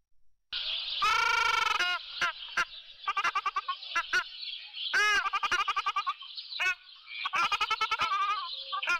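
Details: Ruddy shelduck calling: loud nasal honks rich in harmonics, one drawn out and the rest clipped, delivered in quick stuttering series over several seconds.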